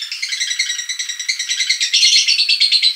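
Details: Lovebird giving a ngekek call, used to lure lovebirds: quick series of harsh, buzzy notes about three per second, becoming louder and fuller in the second half.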